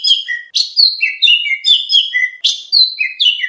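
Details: Lively oriental magpie-robin song as contest training material: rapid bright chirps and short whistled slurs, rising and falling, delivered in quick successive bursts.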